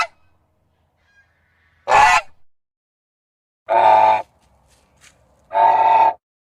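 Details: Three loud, harsh goose honks spaced about two seconds apart, each a broad nasal blast lasting roughly half a second, in otherwise quiet surroundings.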